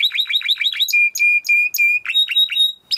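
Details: Timbrado canary training song with a quick series of descending chirps, followed by steady flat whistled notes repeated about every quarter second, then more chirps.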